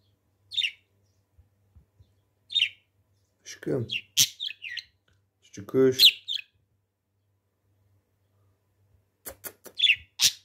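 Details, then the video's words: Pet budgerigar mimicking speech, saying "aşkım" ("my love") in short, scratchy, high-pitched bursts between chirps, while a person nearby softly says words like "kuş", "aşkım", "fıstık". "konuşan kuş"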